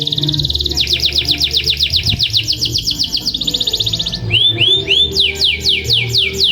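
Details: Canary lure song for encouraging sluggish canaries to sing long rolls: steady rapid trills of repeated downslurred notes, then a brief high buzz and rounded upswept chirps, with a low hum throughout.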